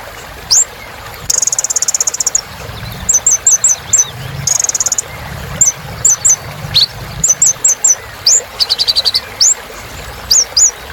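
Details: Little spiderhunter (kolibri ninja) singing vigorously, played as therapy for birds that stopped singing: sharp upslurred high whistles, quick clusters of three to four short notes, and dense buzzy high trill bursts, over faint low background rumble.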